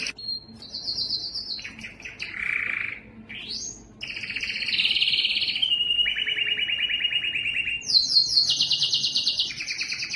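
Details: A yellow canary sings a rapid sequence of pulsed trills, dropping to lower churring rolls, a rising sweep, then long fast-repeated tours at shifting pitches.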